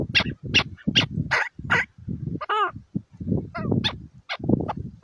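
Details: Chukar partridge giving irregular bursts of harsh, low clucking notes separated by short pauses, with one higher, wavering whine partway through.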